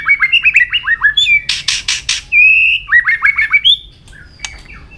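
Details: A White-rumped shama in top form sings and flicks its tail constantly: a quick run of down-slurred chirps, thick raspy buzzes, then a smooth whistle, followed by another chirpy series and fainter notes.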